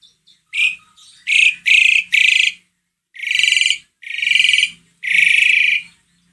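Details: Asian pied starling song used to get another bird singing: a string of harsh, buzzy, rasping bursts of varying length separated by brief pauses, with a faint low hum.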